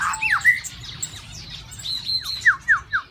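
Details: Caged White-rumped shama, observed during breeding season, singing clear whistles and quick downslurred notes, ending in four evenly spaced descending whistles, with softer twittering underneath.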